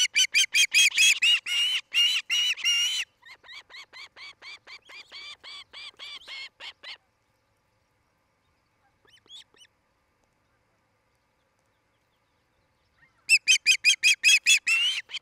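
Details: Osprey couple at their nest in Charlo, Montana, filmed by nest cam on 8 July 2018 in the 5 pm hour: loud rapid harsh cheeping for three seconds, a softer even series, a long silence, then another loud burst.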